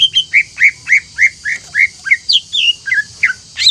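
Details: Greater green leafbird song used as a lure to excite other leafbirds; steady run of loud, clear slurred whistles, roughly three per second, mostly mid-pitched with a few higher notes near the end.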